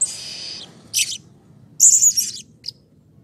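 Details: Blue-crowned hanging parrot in an excited bout, calling to encourage others of its kind: a drawn-out shrill buzz, a short squeak, then a loud piercing whistled burst and a final brief chip.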